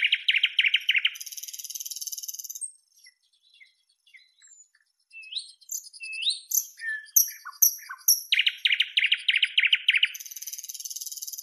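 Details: Nightingale song opening with a loud fast rattling trill, then quiet sparse notes, a varied run of high slurred whistles and sharp descending calls, and another pounding rapid series of deep repeated notes before a final dry trill.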